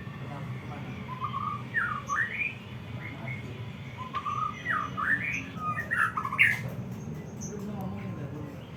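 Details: White-rumped shama singing to excite other shamas: separate whistled phrases that swoop up and down, coming in bursts with pauses between them, over a steady low rumble.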